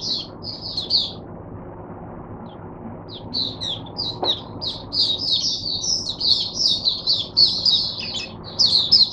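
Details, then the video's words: Caged oriental white-eye singing as a teacher bird for other white-eyes, recorded 22 January 2022: rapid high-pitched chirpy warbling phrases, hesitant at first, then a near-continuous twittering stream in the second half. "Mata Puteh Diva Sunday buka sing teacher bird for my other mata putehs"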